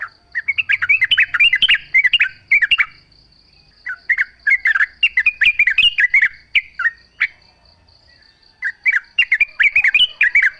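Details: A Yellow-vented bulbul sings busily in a nature recording meant to prompt other bulbuls to sing back; dense chattering phrases alternate with brief silences, while a steady high buzz continues throughout.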